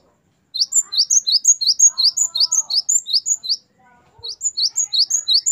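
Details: Song of the great tit, locally gelatik batu, in the wucit variasi style used to train captive songbirds: a long fast series of high paired notes, a soft lower tone and a brief pause midway, then the phrases resume.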